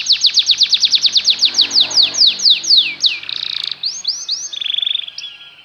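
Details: Singing canary, used as a model to teach canaries song. A run of downward-sliding whistled notes starts fast and slows down, followed by a short buzzy burst and a few softer chirps and a trill.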